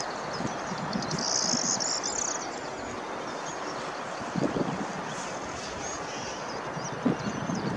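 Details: A rare corn bunting filmed from a distance at Science Park Amsterdam on 15 April 2015 gives one brief, high, jangling song burst like shaken keys, over a steady roar of wind and distant traffic.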